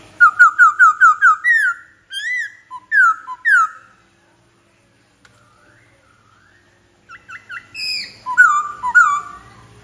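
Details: Rapid white-browed laughingthrush song: a quick string of six matching whistled notes, then slower drawn-out slurs, a silent stretch, and finally ringing high whistles with falling phrases.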